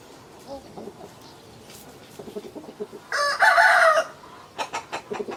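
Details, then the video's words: Rooster crowing: one loud, harmonic-rich cock-a-doodle-doo lasting about a second, with softer clucks and scattered farmyard noises before and after. "Chicken sounds, Roosters crowing sound effects"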